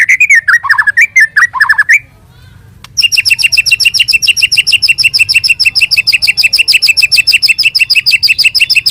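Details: White-rumped shama singing in the morning: a warbled phrase of descending notes, a short silence, then a long, rapid, mechanical-sounding series of identical high double notes repeated steadily about three times a second.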